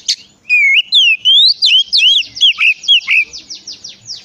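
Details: Lure song of an Oriental magpie-robin, meant to get other magpie-robins singing: a continuous string of clear whistles sweeping up and down, ending in a run of fast, harsher downslurred notes.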